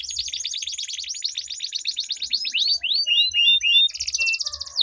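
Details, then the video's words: Canaries in a singing duel, long rolling song used as a lure to get silent caged canaries singing: rapid high downslurred notes rolled together, then a few bright upward whistles, ending in a fast buzzy trill. "Duel Burung Kenari Suara Merdu Ngerol Panjang || Pancingan Ampuh Kenari Macet Gacor Ngerol Panjang"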